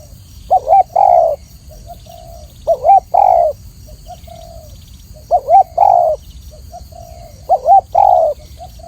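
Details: Spotted dove (tekukur) tutoring recording with a clear voice: four two-part coos, a short wavering note then a long steady low coo, repeated about every two and a half seconds; faint soft notes between phrases and a steady high hum.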